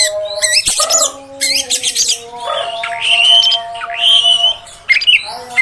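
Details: Female oriental magpie-robin sound to provoke males: scratchy bursts followed by long, sweet, slightly wavering whistles, with a steady humming tone behind.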